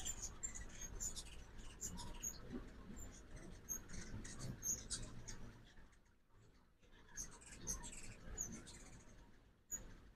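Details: Ruby-throated hummingbirds at a backyard feeder in Oxford, Mississippi, on a fall migration morning; rapid, thin, high chips and twitters repeated throughout, briefly pausing midway, over a low rumbling background.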